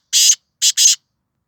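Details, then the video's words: Black francolin calling in Sindh, Pakistan: three loud, harsh, grating notes, one longer note followed after a pause by a quick pair, with silence around them. "Kala Teeter sindh Pakistan"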